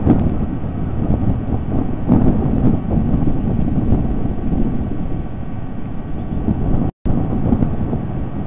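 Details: Heavy wind buffeting the microphone with a low rumble and a brief dropout near the seventh second, no animal calls heard.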